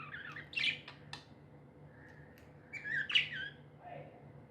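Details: Pet budgie giving two short, scratchy squawks a few seconds apart, with a few clicks and a soft low note between them over a steady background hum.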